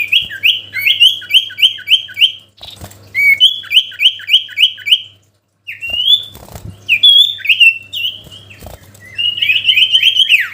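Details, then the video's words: Sooty-headed bulbul song meant to draw a rival: repeated runs of rapid, bright rising chirps with softer lower notes between, broken by a brief silence and scattered clicks, over a faint hum. "SIRTU GACOR MEMANGGIL LAWAN‼️ Suara Asli Alam Durasi Panjang"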